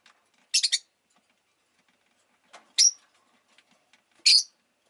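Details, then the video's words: Chirping rosy-faced lovebird, urban setting: a quick triple of piercing high chirps, then single sharp chirps about every one and a half seconds, quiet in between. "Lovebird Chirping Sounds"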